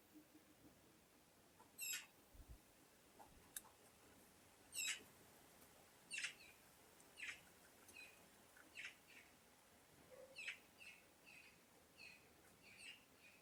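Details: Birds calling in a sound-effect recording: a long series of short, clipped chirps and squawks, some single, some in quick doublets, scattered irregularly every second or so, with a soft background hiss and one low thump.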